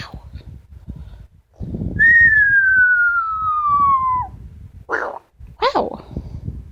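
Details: A female Amazon parrot kept as a pet indoors gives a long, steady whistle that drifts gradually downward for about two seconds, then brief rough squawky notes, with faint background voices.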